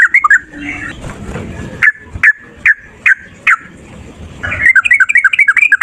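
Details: Fighting male yellow-vented bulbul, used to prompt other birds to sing, opens with bubbly notes, then gives five sharp down-slurred calls about every half second, and ends in a rapid burst of warbled chattering notes.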